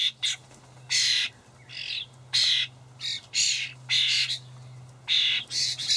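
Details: Juvenile common starlings being fed by adults in a Hamburg allotment garden on 28 May 2012; insistent harsh, screechy begging bursts about every half second to second, nearly continuous, with a low steady hum beneath.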